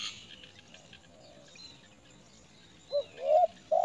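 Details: A Great myna chick, being brought big crickets by its parent, gives three short, loud, rising squeals in quick succession near the end, after near-silence with faint background hiss.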